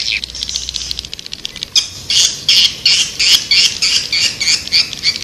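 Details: Calls of swiftlets used to attract birds: after a faint chatter, loud high buzzy chirps repeat steadily, about three per second.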